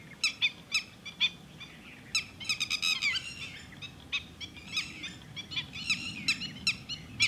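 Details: Red-wattled lapwing at Thol bird sanctuary uttering sharp, ringing calls in irregular rapid bursts, some overlapping, over a low rumbling outdoor background.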